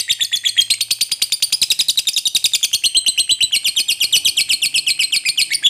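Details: Lovebird calling to other lovebirds so they answer, a long fast chattering trill of sharp high chirps, nearly three per second, held steady for the whole stretch without a break.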